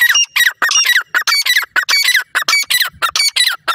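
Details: Francolin (teetar) chicks fighting with a female francolin calling, wild birds: loud, harsh, harmonic squawks in rapid bursts, about three per second, each sliding downward, packed close together with short gaps throughout.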